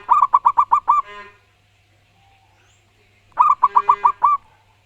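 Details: Zebra dove, a local wild bird with a loud voice, giving two bursts of six rapid, bouncing coos separated by a quiet pause, with a faint, buzzy hum after the first burst.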